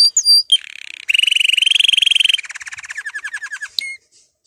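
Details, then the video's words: Canary song meant to encourage canaries to sing: a few sharp whistled notes, then a long steady rolling trill, then a slower series of falling chirps and a final short whistle. "canari chant ساعة لتحفيز الكنار على الغناء"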